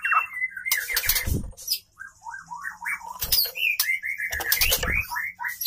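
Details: Female white-rumped shama voice used to stir a male into singing: a run of short whistled, slurred notes in quick succession, broken by several loud rustling or tapping bursts.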